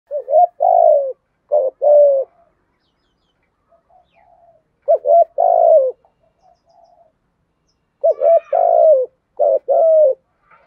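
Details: Spotted dove giving a full, well-patterned coo in the rapid 'thổ thúc gù' style: low coos in three phrases, each a short note then two longer ones, separated by pauses of about two seconds.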